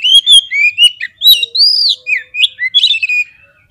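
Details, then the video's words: Fighter-provoking song of an Oriental magpie-robin: loud whistled slurs, a long arched note, and quick chirps in a busy rapid sequence, with a faint low tone underneath. "SEKALI PLAY KACER KALIAN PASTI LANGSUNG NGOBRA !!! KEPANCING EMOSINYA FULL FIGHTER"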